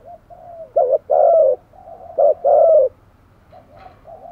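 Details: Decoy spotted dove cooing to attract wild doves: soft lead-in notes, then two strong phrases, each a brief doubled note and a sustained mellow coo, fading to quiet murmuring.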